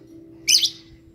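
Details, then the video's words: Lovebird lure call, used to prompt other lovebirds to sing: a single sharp, high chirp lasting about a third of a second, with a faint steady low hum underneath. "Pancingan love bird paling ampuh 100%"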